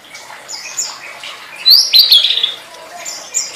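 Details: Tledekan song for training: soft high notes, then one loud, bright, shimmering whistled phrase in the middle, fading to faint twitters.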